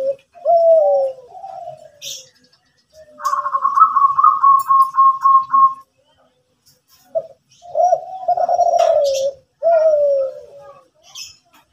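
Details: In the morning, a Kelantan zebra dove sings energetically: low falling coos, a higher rapid pulsed trill of about a dozen beats, then more long rolling coos sliding downward.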